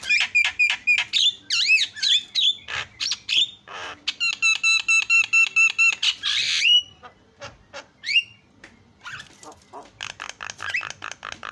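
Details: Asian pied starling song meant to stir up other starlings: rapid rattling notes and looping whistles, a stretch of evenly repeated ringing harmonic notes, then scattered squeaks and chatter.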